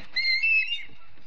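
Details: Osprey at the Charlo nest in Montana on a September morning, live nest camera: one brief, clear whistled note, level then slightly dipping, lasting under a second, over quiet background.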